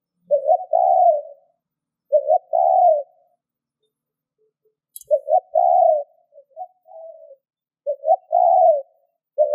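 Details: Spotted dove cooing to lure wild doves: phrases of two or three short low hooting notes, each followed by a longer mellow coo. Three full phrases, repeated every two to three seconds, with quiet gaps between them.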